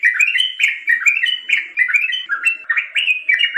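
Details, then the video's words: Yellow-vented bulbul giving a lively, bubbling song of quick liquid notes, rising and falling in short phrases several times a second, with no other sounds. "Suara Masteran Burung Trucukan"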